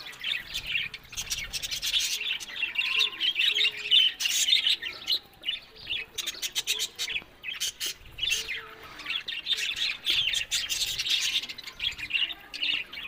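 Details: Budgerigars chatter together nonstop, layering rapid warbles, sharp chirps and clicking notes into a busy high-pitched babble, with brief lulls between louder bursts.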